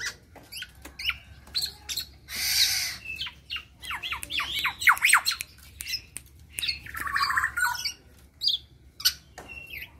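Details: Local black-naped oriole past its spotted juvenile stage, mixing sharp ticks, quick swooping whistles and squeaky slurs, with a loud harsh rasp early on and a buzzy nasal phrase later.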